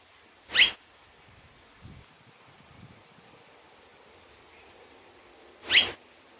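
Two brief, high, thin nasal calls about five seconds apart from a double-barred finch, with faint low rustling between them.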